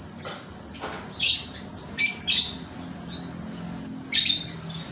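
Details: Lovebird calls used as a lure to prompt singing: shrill, squeaky bursts high in pitch, about four short clusters spaced roughly a second apart, with quiet low hum between them.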